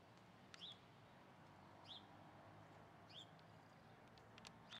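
A hornero gives short, sharp high chirps, one roughly every second and a half, over a steady background hiss.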